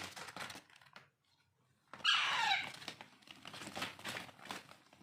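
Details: Hand-fed Alexandrine parakeet chicks, known locally as raw or pahadi parrot, kept as pets: a single harsh, raspy, harmonic squawk about half a second long rises out of steady crinkling and handling noise indoors.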